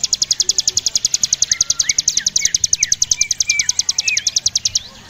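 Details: Javan prinia in continuous 'ngebren' song: an unbroken string of high, rapid, clicking pulses at about eight per second. Scattered downslurred whistles sound underneath before the song fades at the end.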